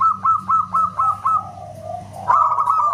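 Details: Loud local zebra dove: a few quick, ringing whistled notes fading into a soft descending coo, followed by a sudden bright burst of rapid notes; constant low electrical-like hum.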